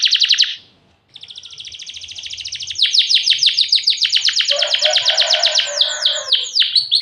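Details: Canary singing hard, used as a lure to provoke answering canaries. A brief trill stops, then a long high roll builds in loudness and breaks into bold downward-sweeping notes.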